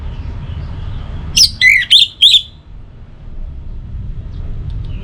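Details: Orange-headed thrush song, a morning and evening lure for other birds: after low background hum, a brief phrase of four quick, rich whistled notes, some rising and some falling, then hum again.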